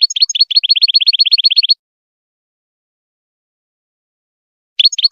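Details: European goldfinch song used for teaching young goldfinches to sing: a fast run of rising, ringing notes, about four per second, then a long silence before a short new burst of notes at the end.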